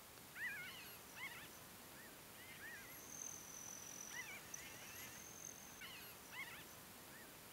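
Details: Foraging and flying Pinyon Jays at Great Sand Dunes in Colorado's San Luis Valley give overlapping nasal, slurred flock calls in repeated bursts from several birds, with a high buzzing hummingbird trill in the middle.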